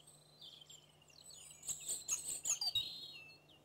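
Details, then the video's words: Alpine accentor (Prunella collaris), a rare or passage bird in Corrèze, France, giving quick, high, rippling chirps and trills that grow louder toward the middle of the clip, over a faint low hum. "Accenteur alpin-Prunella collaris"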